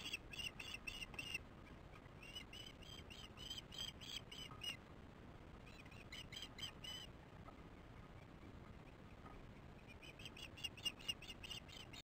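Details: Osprey chicks at their nest on a nest camera, 08/06/15, 18:44: bursts of rapid, high, piercing chirps repeated in quick runs, separated by pauses of a second or more, with a steady low hiss beneath.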